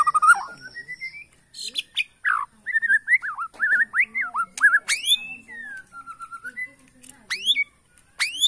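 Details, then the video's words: White-rumped shama from Borneo, singing in bowing posture to anger rivals: clear slurred whistles, quick up-and-down notes and steep rising sweeps. "BIKIN EMOSI LAWAN || Gaya SUJUD murai batu BORNEO"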